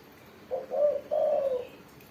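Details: A single cooing phrase from a spotted dove with a crisp 'mersik' voice: a short soft note, then a mellow coo and a longer, slightly falling final note.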